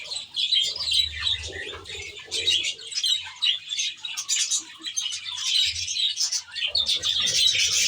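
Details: Budgerigars kept in an aviary reserve, a flock chattering continuously with dense overlapping chirps, warbles and squeaky notes, with occasional soft wing flapping and low thumps beneath.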